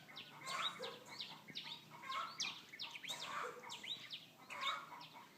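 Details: Bird chorus of softer, slurred chirps and falling whistled notes in irregular bursts, somewhat distant, with a low hum behind.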